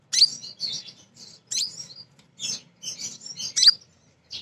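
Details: Female kolibri ninja singing as a lure for other birds: dense, very high, buzzy twittering in short bursts, with sharp squeaky accents near the start and end and brief gaps between phrases.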